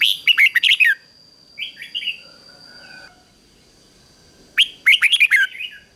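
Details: Decoy red-whiskered bulbul singing hard to call in wild birds: rapid warbled phrase, a softer slurred chatter, then another fast burst of sharp rising and falling notes over a thin steady whine.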